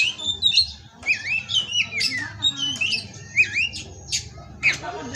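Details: Oriental magpie-robin, a captive-bred male in Indonesia, sings bursts of looping whistled notes and sharp upslurs, broken by short pauses, with soft low hum behind.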